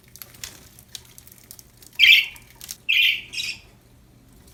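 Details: Cheerful budgies chattering: faint scratchy notes, then a run of three loud, harsh buzzy squawks close together, and a final clipped chirp at the end.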